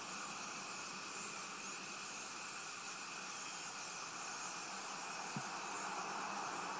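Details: Steady broadband hiss like distant traffic or aircraft fills the whole recording, with no clear animal calls.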